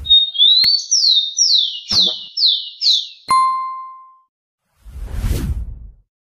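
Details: Rufous-collared sparrow phrase of a rising whistle and five falling slurred notes, cut by sharp clicks, then an added electronic beep tone and a burst of broadband noise after a pause.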